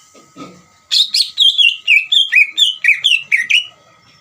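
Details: Greater green leafbird song played as a lure to provoke another leafbird into answering: a rapid run of about a dozen bright, slurred whistled notes, each dropping in pitch, after a brief faint low sound.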